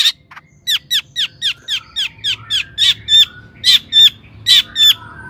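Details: Long-tailed shrike in full song, used as a lure to excite other shrikes into singing: a run of sharp, clipped notes repeated roughly once per second, each dropping quickly in pitch, growing louder and ringing toward the end.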